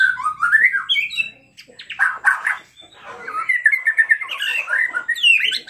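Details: White-rumped shama singing without pause, agitated and unloading its mimicry, as a provocation for other shamas: rising whistled phrases, a harsh broad burst, then a long, fast, wavering warble ending in high upward slurs.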